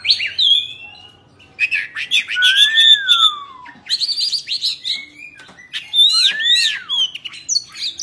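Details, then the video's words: Caged Oriental magpie-robin singing during a tail-fanning display, delivering bursts of quick high chirps and trills broken by pauses, plus a sweet downslurred whistle and a rising-falling arched whistle. "Choè Than Bạch Bạng Hót Múa Xoè"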